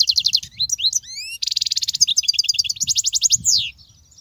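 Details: European goldfinch in full song, played to teach goldfinch chicks: dense runs of very rapid, evenly pulsed high notes like fast trills, broken by a few rising whistled slurs and ending with a long descending buzzy sweep.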